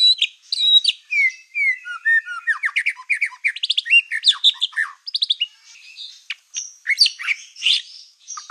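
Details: White-rumped shama with a black tail, singing to provoke other shamas; dense varied phrases of falling whistles, rapid clicking bursts and high squeaky notes, with a brief lull near the end.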